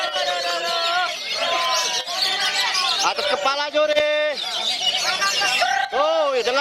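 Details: Caged contest Oriental magpie-robin (kacer) singing its song fill (isian) at a regional bird-song competition in Kisaran on 23 February 2020: loud varied whistles, slurred rising and falling phrases, and rapid trills, with a man's commentary and crowd around.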